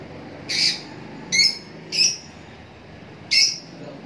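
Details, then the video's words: Lovebirds giving four sharp, high, shrieking squawks spaced unevenly about a second apart, each brief and harsh, over a low steady background hum. "love birds sound"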